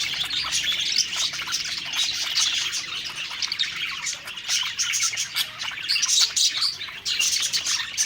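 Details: Budgerigars warble and twitter happily while eating; many voices blend into a lively, high chatter of chirps and trills that swells and dips in loudness.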